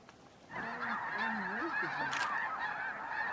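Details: Snow geese massed at Bosque del Apache National Wildlife Refuge in December at dawn or dusk; after a quiet start, a sudden swell of many overlapping honks, with lower wavering calls and a brief sharp noise midway.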